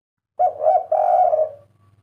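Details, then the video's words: A single cooing phrase from a 'kuk 3' spotted dove, a bird prized for a distinctive call whose 'kuk' comes three times. A short coo is followed by a longer, slightly wavering coo that fades away, over a faint low hum. "Derkuku kuk 3"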